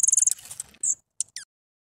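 Gray-headed Junco giving a quick burst of very high, ticking notes, then a thin drawn-out tsee and two brief sharp chips.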